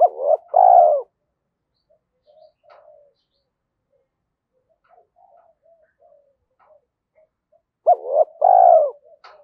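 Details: Decoy spotted dove provoking wild doves to coo, with two phrases about eight seconds apart. Each has paired short hoots and a long mellow coo, separated by scattered faint soft notes and small clicks.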